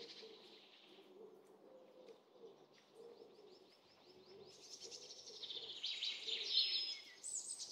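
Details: A playful pair of crimson-winged woodpeckers giving high, harsh, scratchy calls that grow louder toward the end, over a steady background of low, soft cooing notes about twice a second.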